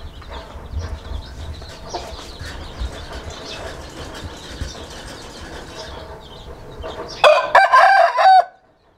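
An Aseel rooster gives a single loud, hoarse crow lasting just over a second near the end, after several seconds of low rustling and faint background noise.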